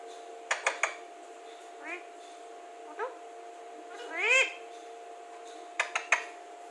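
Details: Talking Alexandrine parakeet, said to speak very clearly, gives soft curved voice-like syllables, then one louder arched drawn-out utterance near the middle, ending with sharp clicks, with a constant background hum.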